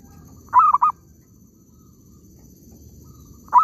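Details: Zebra dove in an oil palm plantation, recorded while trapping birds. One stammering coo of three quick mid-pitched notes, then near silence, and the start of another phrase right at the end.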